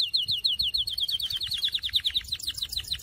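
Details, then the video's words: A Syrian canary sings a fast, rolling trill of bright, high notes, repeated rapidly with slight shifts in pitch, over a faint low background hum. Canary. "تغريد كناري"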